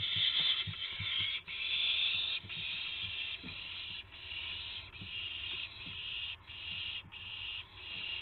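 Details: Owls on March 26, 2016 near 5:50 AM, as prey (a gopher, then a mouse) arrives; a steady run of rasping, hiss-like screeches, about a dozen bursts roughly every half second to second, over soft background noise.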